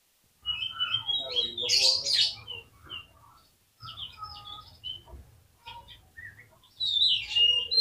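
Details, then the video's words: Varied, scratchy, warbling song of an Oriental magpie-robin, used as a lure to prompt other magpie-robins to sing. It comes in bursts of mixed whistles and harsher notes with short pauses between them. "PANCINGAN KACER GACOR"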